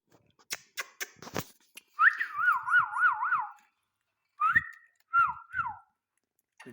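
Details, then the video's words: Pet Indian ringneck parakeet, described as talking, gives a run of clicks and taps, then a long wavering, trilled whistle and two shorter rising-then-falling whistled phrases after a pause, in a quiet room. "talking sweet parrot amazing ringneck talking sweet parrot amazing ringneck"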